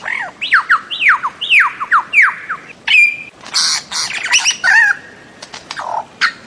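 A bird-of-paradise gives a fast run of loud, downslurred notes, about three per second, then a mix of harsh rasping bursts and a brief steady whistle.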